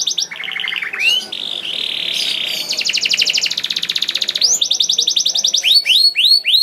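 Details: Canary song for prompting pet canaries to sing: short stepped trills, a steady buzzy roll, a fast pulsing trill, then a series of rising-falling whistled sweeps.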